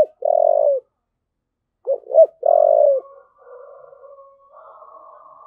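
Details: A spotted dove cooing in thúc gù style: a long coo cut in at the start, then a full phrase of two short notes and a sustained coo, followed by low continuous faint murmuring.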